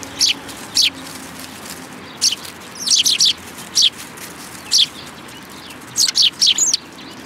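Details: Eurasian tree sparrows arriving to be fed at Tenmangu shrine on 10 February 2022, giving short high chirps singly and in clusters of two or three, spaced irregularly over several seconds against a quiet background.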